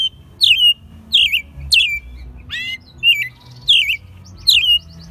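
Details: Caged American robin raised from a chick, singing in Mexico City in March 2020, its second year in captivity; in spring it sings all day from 5 a.m. Loud, slurred whistled phrases, about six in five seconds, with a faint low room hum.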